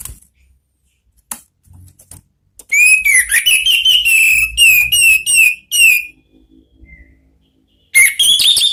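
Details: Orange-headed thrush (anis merah) singing ngeplong style as a therapy sound: after faint knocks, a long, loud series of slurred, evenly spaced whistled notes, a pause, then another bright phrase begins.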